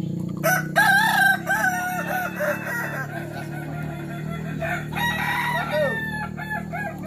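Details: Kukuak Balenggek chicken crowing during contest practice in Sawah Lunto; two series of rippling, stepped crow syllables, the first bright and loud, the second ending in a falling slur, over a persistent low hum.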